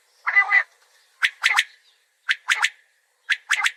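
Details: Common quail calling: a rough buzzy note, then crisp three-part whistled phrases repeated about once a second, each made of short, sharp notes, against a quiet background.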